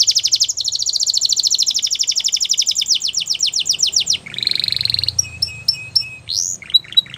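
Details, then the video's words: Belgian canary delivering a long rapid high trill that slows into separated downslurred notes, then a buzzy burst and a few short clipped whistles with rising sweeps. "The Most Beautiful Canary Singing | Belgian Canary Song"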